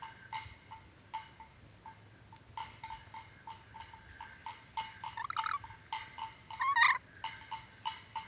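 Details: A tame ornate lorikeet (Sulawesi lory, able to talk and whistle) gives a steady run of short, clipped mid-pitched notes, then breaks into a few louder warbling, swooping whistles.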